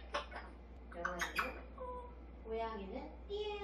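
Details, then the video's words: Eight-month-old grey parrot babbling, sometimes saying a few words: short, speech-like phrases with clear whistled tones sliding up and down, over a steady low room hum. "말하는 앵무새 🐦병아리는 까꿍 🐣 아기 회색앵무"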